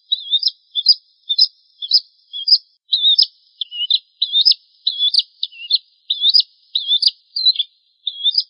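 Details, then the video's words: Bar-winged prinia (Prenjak Jawa) tutor song for training cage birds: a rapid series of sharp, high chirps, some rising and some falling, about two per second for over eight seconds, against a clean, silent background. "Suara Masteran Burung Prenjak Jawa"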